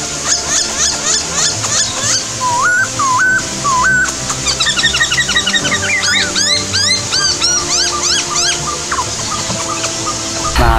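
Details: Several Masked Laughingthrushes gather in an aviary's shrub forest in breeding condition, calling in a courtship ritual near their nest on day 12 of incubation: loud, slurred rising-and-falling whistles and quick chattering runs over background music.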